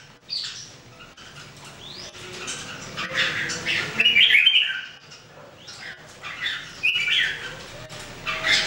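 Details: Singing practice of three caged Red-whiskered Bulbuls, 2018: scattered bright whistled phrases and harsher squawky notes, louder bursts near the middle, over faint room noise.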